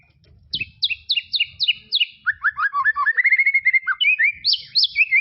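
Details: White-rumped shama song from tropical forest: a run of bright, downward-slurred high notes, then a rapid, rolling sequence of lower whistled notes and twittering ending in high rising phrases. The background is quiet.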